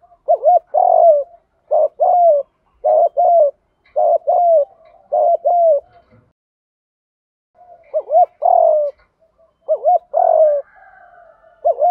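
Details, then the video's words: Spotted dove kept as a decoy to lure doves, calling 'gù thúc': repeated soft low coos in a loose series, a gap of about two seconds, then a denser burst of doubled coos. "chim cu gay moi thuc gu cu datgay giong hay, cu gáy giọng đồng gù thúc, cu cườm gáy giọng hay"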